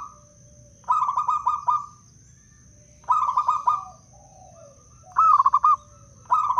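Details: Local wild zebra dove from Blora, used as a trapping lure and to prompt other doves to sing. Four bursts of rolling, stuttering cooing, some longer and drawn out. A faint steady high-pitched whine is in the background.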